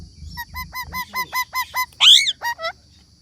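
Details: Parrot repeating short squawks that dip at the end, about five per second. A single louder, harsh rising screech follows, then two more squawks before the sound fades.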